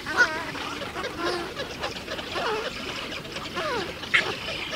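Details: Nesting Eurasian spoonbills with chicks in a colony in Azerbaijan's Ag-Gol National Park, 2013–2014: wavering, looping nasal calls sliding up and down, interspersed with sharp short notes, amid a steady hubbub of other colony birds.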